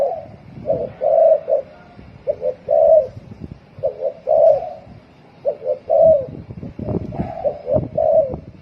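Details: Very fast cooing from a spotted dove in the 'thổ còi' style: short mellow hoots in tight pairs followed by longer coos, repeated in quick succession with low background rumble.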